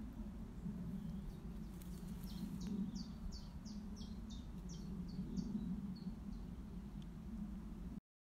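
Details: A common chiffchaff calling at Rodborough Common, Stroud, gives a quick run of about ten high, short notes, alternating slightly in pitch, over a steady low rumble.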